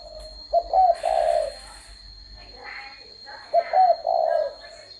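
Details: Spotted dove giving two three-part coo phrases, each a quick pair of soft notes running into a drawn-out purring coo, spaced about three seconds apart over a constant thin electronic whine.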